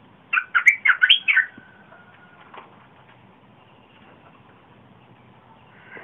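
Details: Red-whiskered bulbul song from 30 April 2021, kept to lure wild birds and for young birds to learn; a quick run of about six mellow, rolling whistled notes, followed by a faint trailing note and quiet background.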